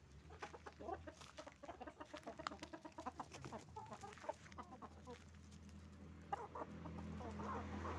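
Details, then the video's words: Roosters and hens calling together on a chicken farm, a busy stream of quick clucks and cackles from many birds, loudest in bursts, backed by a continuous low ventilation hum. "Moment of the sound of a chicken farm, roosters and hens making noise"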